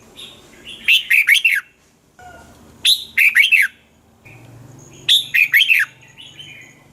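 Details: Red-whiskered bulbul in a cage singing, used to rouse caged birds: three lively phrases, each a soft lead-in then four bouncy looping notes, about two seconds apart.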